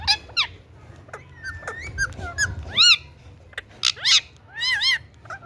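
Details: Indian ringneck parrot producing scattered clicks and short whistled notes that build into loud, harsh screeches and clustered arched squawks, with a low background rumble.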